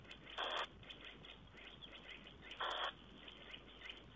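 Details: Tawny owl on 4 June 2010: two rough, hissing bursts about two seconds apart, with faint high bird chirps scattered around them and a steady noisy background.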